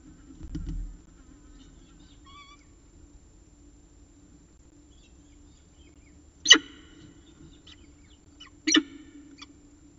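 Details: Peregrine falcon at the nest with the last prey of the day, Orange, 14 October 2019, 6:54 pm; two loud, harsh, sharply stacked calls about two seconds apart, with a dull thump and faint background chirps.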